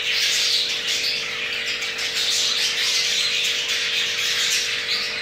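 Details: Jumbo crested male budgerigar kept in captivity, caught while mating, its pair having two eggs; unbroken buzzy, squawky warble fills the whole stretch over a constant low hum.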